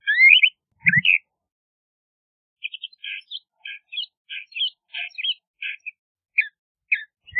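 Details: LeConte's thrasher opens with a few loud slurred whistles, then after a pause gives a string of short, evenly spaced clipped notes, with a dull low thump early on.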